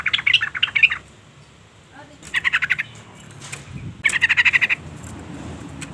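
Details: Female sooty-headed bulbul calling to lure and provoke the male: three bursts of rapid, harsh chattering notes, each under a second long, separated by short pauses, over a faint low background hum.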